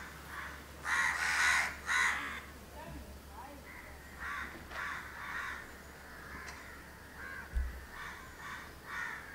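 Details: Mutually grooming pair of house crows, Candolim, Goa, December 2010, giving a burst of three loud grating caws followed by quieter, irregular caws and clicks.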